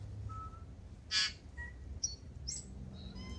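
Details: Tūī waking before sunrise in Manawatū, New Zealand, starting to call: a loud harsh burst, then thin pure whistles and short high notes at varied pitches, over faint low background hum.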